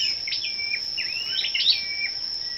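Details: Scarlet-backed flowerpeckers gathered for competitive morning singing on 10 May give thin, high sliding whistles that rise, fall and hold level in quick succession. A constant shrill whine runs underneath.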